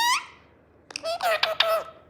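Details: Pet green parrot talking indoors: a short squeaky falling note, then after a pause a burst of harsh, speech-like squawked syllables with rising and falling tones, mimicking Gujarati words.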